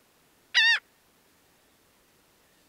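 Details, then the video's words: Laughing gull giving a single loud, harsh, nasal note with stacked harmonics, a short second note beginning right at the end, in quiet surroundings. "Sounds singing Laughing gull, sounds, singing Aztec seagulls"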